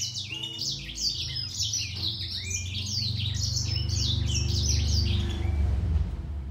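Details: Singing fight between a grey singer finch and a green singer: dense, fast high chirps and down-slurred whistles pour out continuously over a strong low droning hum.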